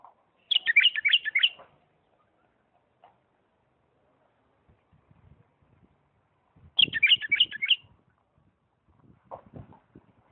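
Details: Bulbul of Diyala delivering 'lisanat' style song, two fast chattering-warbled phrases roughly six seconds apart, with faint low knocks and rustles in the background.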